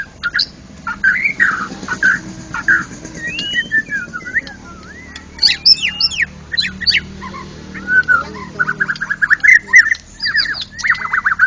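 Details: National champion contest white-rumped shama singing in the loud, open ngeplong style: a varied run of clear whistled phrases, rising and falling slurs and sharp chips, with short pauses between bursts and a low background hum.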